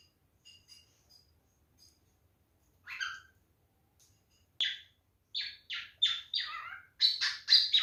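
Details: Male cockatiel mating display calls: a few faint soft chirps at first, then increasingly loud, rapid whistled chirps and squawks in quick succession toward the end.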